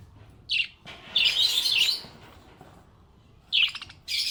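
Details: Happy budgie chirping with clear high, scratchy chirps. Short twittering phrases are broken by a quiet pause, then another bright burst at the end.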